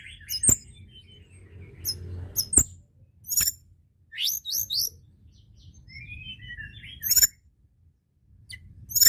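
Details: White-browed shortwing song used to provoke other birds into singing: scattered high, sharp whistled notes and short rising squeaky phrases separated by gaps, with a few loud clicks and faint low rumble beneath.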